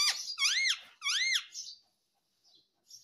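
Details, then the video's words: Pet talking parrot, said to say mummy and papa, uttering two loud, arching squeaky notes that rise then fall, followed by quieter trailing squeaks in a small room. "Natural Parrot Sound ❤️ talking Parrot mummy papa"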